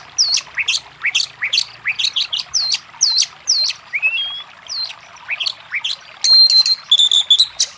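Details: Oriental magpie-robin song to stir a silent bird into answering; repeated sharp downslurred whistles in pairs, a lone rising whistle, then clear ringing stacked notes near the end.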